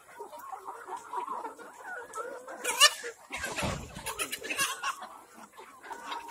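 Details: Kadaknath chickens on an organic farm in Cuttack, Odisha, softly clucking as a group, interrupted midway by a sharp click and several seconds of loud rustling thumps, then the low clucking carries on.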